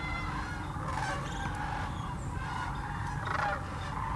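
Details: Migrating sandhill cranes in their thousands at Hiwassee Wildlife Refuge, East Tennessee. Overlapping rolling, purring trumpet calls form an unbroken chorus, with a low steady rumble underneath.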